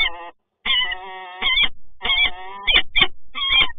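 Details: Peregrine falcons, resident birds meeting in Toruń, 26 August 2022, give drawn-out, nasal wailing calls, one held nearly a second, followed by choppy harsh notes with slight pitch wavering.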